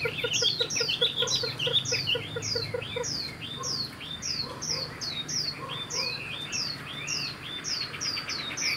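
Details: Chinese hwamei, a cage bird hatched this year and taken as a fledgling: rapid repeated down-slurred high whistles, with a quick string of lower pips in the first three seconds.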